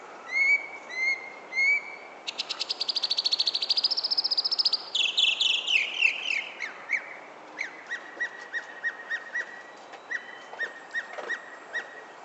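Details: Back-yard bird in San Francisco at sunset, 31 July 2014: three quick up-slurred whistles, a long rapid buzzy trill, a series of descending slurs, then many short clipped notes in varied rhythm.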